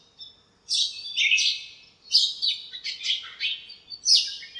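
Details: Morning chirping from birds in a home backyard lemon tree, squabbling and communicating: after a near-silent start, shrill overlapping chirps arrive in quick bursts, peaking brightly near four seconds.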